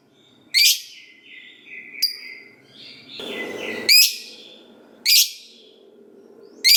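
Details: Fighter lovebird kept as a lure bird to set other lovebirds singing gives loud, piercing, rising squawks about every second and a half, with softer chirps and twitters between them.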